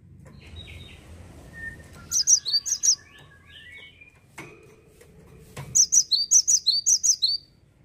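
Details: Cinereous tit, said to be rarely found in gardens now, singing: two bursts of rapid, high, sharp repeated two-note phrases, with softer lower whistles and chirps between them.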